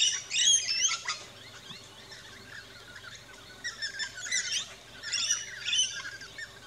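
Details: Rainbow lorikeets feeding in an Australian backyard give rapid clusters of high twittering chirps and squeaks in three or four bouts, separated by quieter stretches with a low background hum.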